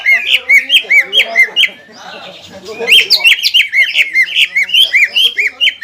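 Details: Greater green leafbird song used to re-ignite aggression in a rival just out of moult; sharp arched whistled notes repeated briskly, a softer scratchy passage around two seconds, then steady loud chirping.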